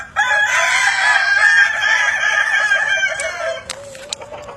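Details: Kukuak Balenggek rooster crowing as evening falls, a long loud harmonic crow of about three seconds that tails off into a lower, fading note with faint clicks.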